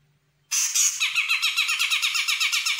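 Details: Sumatran grey-cheeked bulbul, a young bird responding to a lure recording: an abrupt harsh onset followed by a rapid, evenly repeated chattering rattle of buzzy notes, sustained to the end.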